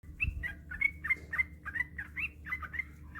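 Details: Yellow-vented bulbul giving a long, rapid 'ropel' song, used as a training recording to get other bulbuls singing: quick bubbly whistled notes in a steady chain, with a low hum underneath.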